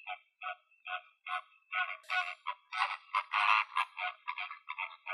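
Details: A flamingo flock in the wild in Greece gives nasal, goose-like honks, at first spaced about twice a second, then building into a dense, overlapping chorus.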